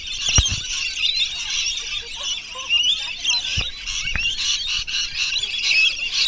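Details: Many wild rainbow lorikeets being hand-fed at Bungalow Bay, Magnetic Island, on 26 December, at the end of a wildlife tour: a dense, continuous chorus of shrill, screeching chatter, high and harsh, with a few sharp thumps and clicks.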